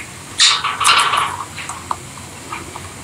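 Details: Rosy-faced lovebirds kept as pets, playing together lively indoors; two bursts of harsh chattering squeaks, then scattered faint clicks and chirps in a quiet room.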